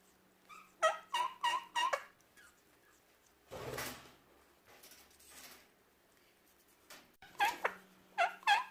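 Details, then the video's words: A male Indian ringneck (rose-ringed) parakeet eating an apple gives quick bursts of four harsh, bright chirps, then pauses with rustling and crunching, then gives another rapid burst. "Parrot chirping sound"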